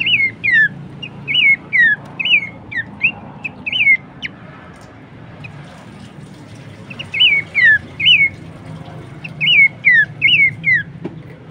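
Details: Horsfield's babbler heard on a songbird training recording: two bouts of repeated looping whistled notes separated by a few seconds of quiet, with steady low background hum throughout.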